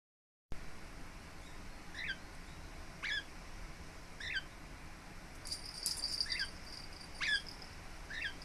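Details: Pet lineolated parakeet, relaxed and settled at home, recorded 26 April 2017: short, soft chirps at irregular intervals of about one second, with a faint steady high hiss in the background.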